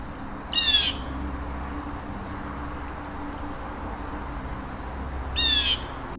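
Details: A Blue Jay at about 6 a.m. gives two harsh, raspy jeers about five seconds apart over a steady low hum.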